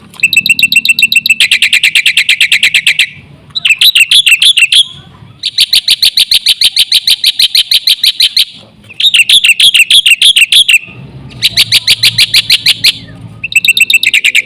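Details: Black-winged myna in full, lively song used as a lure to set other mynas singing: bursts of rapid, harsh, high chattering notes, about three per second, broken by short pauses, with a low hum underneath.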